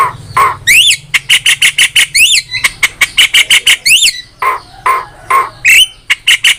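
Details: Javan myna singing energetically in a master recording for training songbirds: harsh buzzy squawks alternate with rapid runs of sharp clicking notes and repeated rising-falling whistled chevrons, delivered in quick bursts with a faint low hum beneath.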